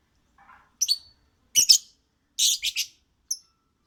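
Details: A lovebird sings in a string of shrill, scratchy chirps, some paired and some in quick triplets, with uneven pauses between them.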